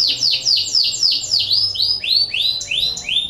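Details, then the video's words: Canary in breeding condition sings a lure song meant to stir other canaries into singing: a rapid run of bright, sweeping down-slurred notes, about three or four per second, later shifting to higher rising-falling phrases, with faint low background hum. "PANCINGAN KENARI BIRAHI , AMPUH MERANGSANG KENARI IKUT BUNYI"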